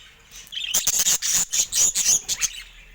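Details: Caged budgerigars in a quiet, natural setting, with the birds attacking a camera. Bursts of high, scratchy chirps and warbling chatter, several pulses close together over about two seconds.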